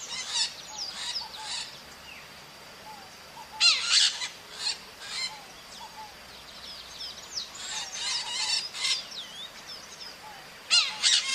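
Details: Wild maritaca parrots calling in nature: bursts of harsh, raspy squawks in quick runs, separated by pauses, with thin whistled notes of other birds in the background.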